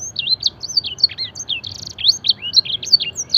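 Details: Fancy canary mimicking blackthroat and edel sanger song in a luxurious training recording; lively twittering run of quick looping whistles and short sweeps, bright and continuous.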